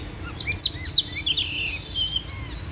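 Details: Oriental magpie-robin, called a legendary warrior bird, giving a brief run of thin, high whistled notes and sharp chips that fade into a faint, warbling phrase over steady low noise.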